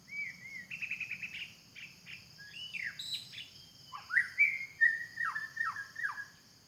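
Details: White-rumped shama singing in a forest: varied clear whistled phrases, some trilled and buzzy, others sliding down steeply, delivered in bursts over nearly seven seconds, with a steady insect drone and low rumble behind.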